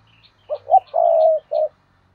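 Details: Spotted dove acting as a decoy, 2022: two short coos, a long level coo and a final short coo in quick succession, with faint high chirps of other birds behind.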